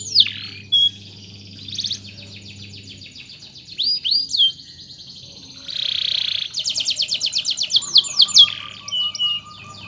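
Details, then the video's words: Canary used as a tutor bird for song: scattered sharp whistled notes and brief harsh bursts, then a rapid pulsed trill of repeated notes near the end, over a low background hum. "BURUNG KENARI Gacor‼ di MASTERI pakai burung ini LANGSUNG Ikut Gacor❗❗"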